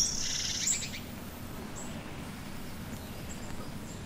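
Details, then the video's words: Two wrens duet in a British wood in January, a blue tit singing as well: a high, rapid wren trill bursts out in the first second, then scattered thin high notes over a steady low hum. "Here's a wren duet, with a blue tit singing as well."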